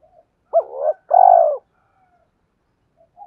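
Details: Spotted dove coo meant to spur other doves to answer: an abrupt upswept note, a brief purr, then a long, mellow, slightly falling coo, followed by near silence.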